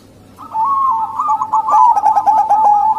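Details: Local female zebra dove calling to attract males; after a brief quiet start, a continuous bubbling sequence of rapid, ringing staccato coos fills the rest of the recording.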